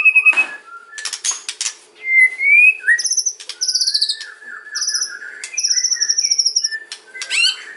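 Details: White-rumped shama kretekan song used for luring other shamas: a dry rattle opens, followed by ringing whistles and fast buzzy trilled runs repeated in several bursts, with a closing crackle; faint low hum.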